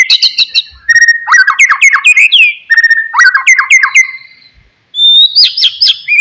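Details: Oriental magpie-robin singing, meant to stir a sulking silent bird into song: fast rattling trills and quick repeated whistled notes in dense bursts, a short pause, then high sweeping whistles.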